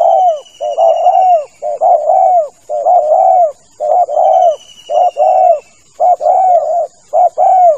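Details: Spotted dove call used as a hunting lure, a steady series of soft cooing phrases, each a brief note then a drawn-out falling coo, repeated about once a second, with faint high whine behind.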